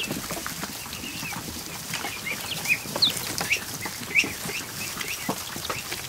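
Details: Over a hundred just-hatched ducklings in a kiddie pool set in a barn, afternoon. Scattered high cheeping notes stand out above a steady hiss of water and movement, some sharper peeps near the middle.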